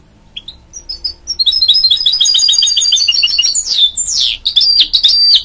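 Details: Goldfinch-canary mule singing a sustained high twitter of quick repeated notes, turning into sweeping slurs and scratchy chirps toward the end.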